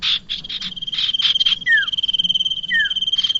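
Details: Bar-winged prinia sound used as a lure for trapping birds: bursts of rapid, dry, chattering notes, then two brief descending whistled slurs, over a steady high insect trill running throughout.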